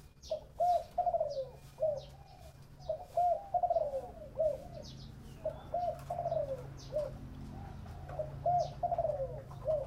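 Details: Repeated cooing of a spotted dove in the 'thổ bầu' voice, about four phrases of low, rounded, downslurred notes every two to three seconds, with thin high chirps of other birds throughout.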